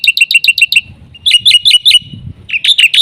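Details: Loud, energetic black-winged myna song with full filler phrases, used as a lure for training mynas: quick runs of sharp, ringing notes, each run of about five to six, broken by brief gaps with faint low noise.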